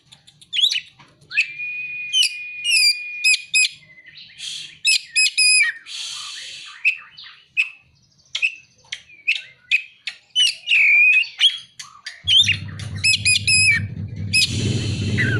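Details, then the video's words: Kacer, the Oriental magpie-robin, in a song carrying ciblek (prinia) and kolibri (sunbird) imitations: a long steady whistle, then quick sharp chirps and rising slurred notes, with a low rumbling noise joining for the last few seconds. "Kacer (materi ciblek dan kolibri)"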